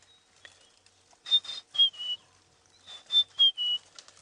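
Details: During an afternoon game drive on 08/04/16, a white-browed scrub robin sings two short phrases of high, clear whistled notes stepping slightly downward, about a second and a half apart, over faint rustling noise.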